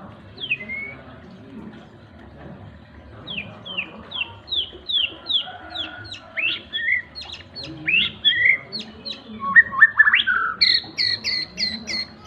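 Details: Seven-month-old white-rumped shama in ngriwik song: a string of short, sharp, downslurred whistles repeated about one per second, then denser chattering notes and a quick high series at the end, over a low background murmur.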